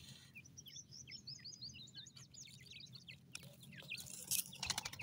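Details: Grey francolin chicks kept in captivity, calling as a group. They give a run of thin, high, downslurred peeps in quick succession, followed by scattered louder chirps and some rustling.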